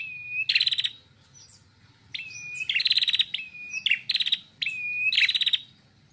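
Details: Loud, clear singing of a female red-headed prinia, with each phrase opening on a flat whistled note and breaking into a rapid, rattling trill, repeated several times with short pauses.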